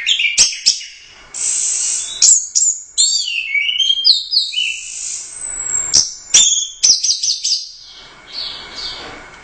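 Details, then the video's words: Royal Cup first-place orange-headed thrush delivering a long, busy song of loud high whistles, buzzy trills and quick slurred notes, punctuated by a few sharp clicking knocks and brief pauses. "Suara Burung Anis Merah | GACOR Teler Doyong Juara I Royal Cup"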